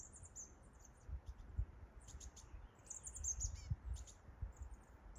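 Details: Chestnut-backed chickadee on Mt. Doug giving very high, thin buzzy call notes in short bursts throughout, some slurred into quick chattering runs, over low rumbling thumps and background noise.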